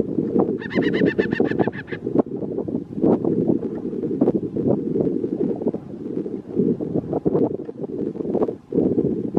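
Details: An adult Black-chested buzzard-eagle (Geranoaetus melanoleucus) on the way to Torres del Paine National Park, Magallanes, Chile, gives a quick, high, laughing series of about a dozen notes near the start; steady wind rumble and handling knocks follow.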